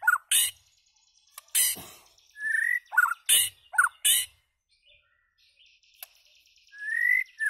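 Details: White-rumped shama: a few rich, slurred whistles mixed with harsh, scratchy chack notes, spaced irregularly with pauses, ending on a rising whistle.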